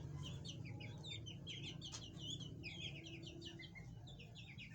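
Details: Chukar partridges with their chicks give a busy stream of short, high, overlapping chirps, several callers at once, over a steady low rumble.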